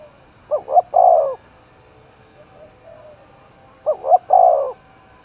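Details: Roused for a fight, a spotted dove in Đồng Nai, Vietnam, repeats its cooing phrase twice, about three seconds apart. Each phrase has a quick double note and then a long rounded coo. Soft coos sound in between.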